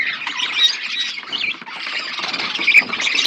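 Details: Flock of budgerigars eating food, producing a steady, dense wash of high chattering and chirping from many birds together, with no single voice standing out.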